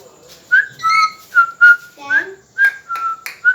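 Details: Pet talking parrot indoors, kept by its owner, giving a run of clear whistled notes. Some notes hold level, some are brief and rising, about eight in three and a half seconds, with faint voices between them.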